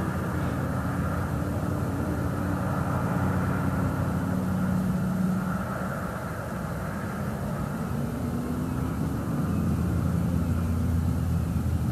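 Steady low engine and vehicle rumble fills the recording, with no animal calls heard.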